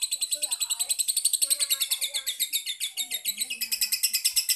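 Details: Lovebird lure call meant to set other lovebirds singing: an unbroken series of shrill, clipped notes repeated rapidly and evenly, with a quiet human voice murmuring in the background.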